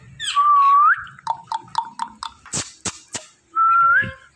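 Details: Pet Indian ringneck parrot indoors, described as talking: a steady clear whistle rising at its end, then a run of short chirpy notes and sharp clicks, closing with a second rising whistle.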